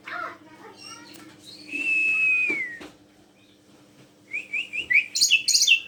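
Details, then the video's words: Docile black-collared starling used to lure other birds into song: a soft scratchy start, one loud long whistle gliding down, a pause, then a burst of harsh chattering notes. "jalak suren penurut cocok memancing burung lain menjerit jerit"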